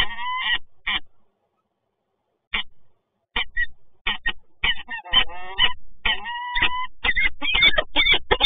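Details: Peregrine falcons, residents of a power plant in Toruń, Poland, meeting on 26 August 2022. Isolated harsh notes are separated by silence, then build into a rapid, dense run of loud, grating calls.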